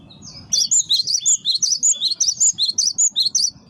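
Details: Cinereous tit (gelatik batu, gelatik wingko) giving a lure song: a fast, lively run of sharp high chipping notes in paired rising-falling figures, about a dozen bright phrases in quick succession after a short pause.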